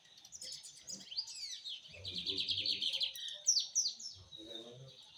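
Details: Rusty-collared seedeater pouring out a dense, rapid warbling song of rising and falling slurred notes and buzzy trills, with low rumbling background sounds beneath.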